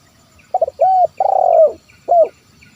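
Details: Zebra dove call for luring wild birds: brief stuttered notes, a level coo, a long burring trill falling at the end, and a single closing coo.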